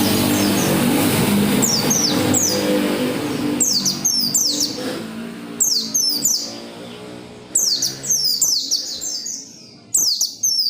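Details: Oriental white-eye giving loud, persistent song to encourage other white-eyes to sing: faint high chips under rumbling noise at first, then clear clusters of rapid, shrill descending notes repeated every couple of seconds.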